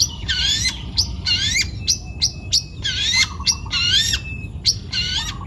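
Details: Juvenile wild-caught long-tailed shrike, Central Java, singing vigorously: repeated rising chevron-shaped chattering phrases alternating with short sharp clicks, roughly one phrase per second, some soft low whistles between, background hum.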